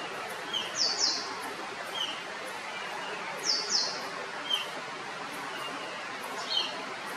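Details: Rusty-tailed flycatcher in Kerala, India, giving short, high, thin notes, some doubled, every few seconds, over a steady hiss of background noise.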